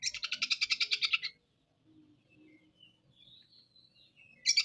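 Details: Kacer (oriental magpie-robin) giving rough harsh material: a sustained buzzy rattle of rapidly repeated rasping notes lasting over a second, then quiet with faint low background sounds, and another burst beginning at the end.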